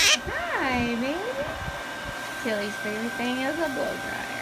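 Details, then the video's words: Pet female Hahn's macaw hums her favourite song, one she learned from hearing it performed, while being bathed in a shower: soft, tonal, wavering glides of drawn-out rising and falling notes with short pauses, over the steady hiss of running water. "humming her favorite song!!! Parrot Macaw"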